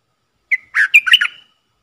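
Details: Decoy red-whiskered bulbul calling to attract wild birds, dated 23/07/64: a short sharp note, then a tumbling run of rich, slightly buzzy whistled notes lasting under a second.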